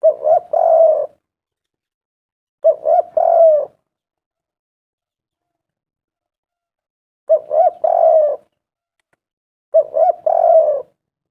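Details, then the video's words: Spotted dove used to provoke other doves into calling: four evenly spaced phrases, each of quick stuttering notes ending in a longer wavering coo, with quiet pauses between. "tekukur derkuku gacor suara mantab"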